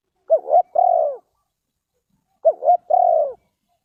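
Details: Spotted dove (cu gáy) from Ninh Thuận, Vietnam, used in lure trapping. It calls twice in a clean two-part phrase: a short hooked note, then a long mellow falling coo. Each phrase repeats about two seconds apart against silence.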